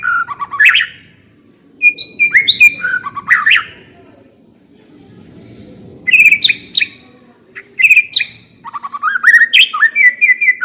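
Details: White-rumped shama singing as a lure to set another shama singing: loud bursts of whistles, sharp chips and rich warbles separated by short pauses, with faint low background noise in the gaps.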